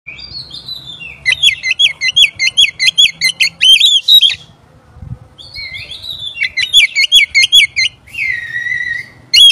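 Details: Oriental magpie-robin song used as a lure to provoke other magpie-robins: loud, rapidly repeated sharp chattering notes in a long fast series, a short pause, another burst of the same rattling phrase, then a drawn-out whistle.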